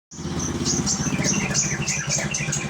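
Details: Greater green leafbird in Indonesia giving a fast run of sharp, high chirps and short whistled notes, set against a steady low rumble of engine noise and music.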